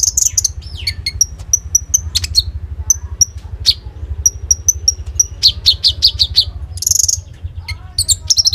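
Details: Active common iora song with fill-in phrases, a phone recording meant to spur kolibri ninja birds: sharp high whistles repeated steadily, rising and falling slurs, and fast stuttering chip rolls near the end, over faint low hum.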